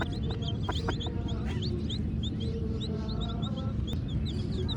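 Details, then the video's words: Black and white baby chicks chirping, short high downward-sliding peeps scattered through the clip over a steady low rumbling background. "Baby Murgi Chicks Chirping Sounds"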